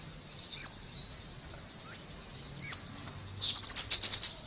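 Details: Scarlet-backed flowerpecker: three high, thin slurred notes spaced over about two seconds, followed by a fast dry trill.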